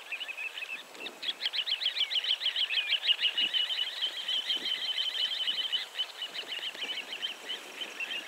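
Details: Little ringed plover recorded at location 51.912315, 20.318912, giving a long, fast run of short, rasping, high notes, about three per second, rising and falling slightly in pitch, with faint background noise throughout.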